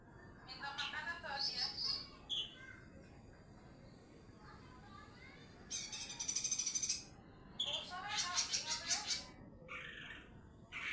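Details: Lesser green leafbird, mini type, singing actively in the 'nembak' style used for tutoring other birds: scattered lower warbling phrases give way to two bursts of quick, shrill, high-pitched repeated notes separated by brief pauses.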